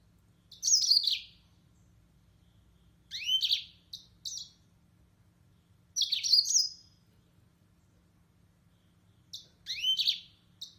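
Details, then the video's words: A yellow-fronted canary (Mozambique serin) sings short, bright, high twittering phrases of about a second each, repeated every three seconds, with a faint low hum behind. "طائر الياسمين الموزمبيقي serin mozambique"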